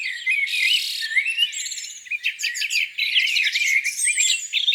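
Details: Spring morning lakeside birds singing together: rising whistled notes, a steady buzzy trill, quick chattering bursts and fast twittering runs overlapping throughout.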